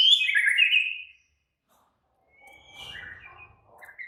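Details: Agitated White-rumped shama giving a loud, high, warbled whistle phrase, then silence and softer scratchy notes with a faint low rumble before another whistle.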